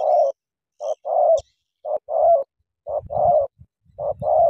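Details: Spotted dove from Cà Mau, a "kèo thổ" bird facing a wild rival ("bổi") and fighting. Short mid-pitched coos repeat roughly once a second in paired bursts, with low thumps and rustling underneath.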